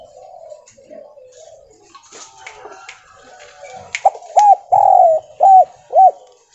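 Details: Spotted dove, a stuttering Javan bird used as a lure call: a quick run of five low, mellow, rounded coos, clipped and stuttering, after several seconds of faint background murmur.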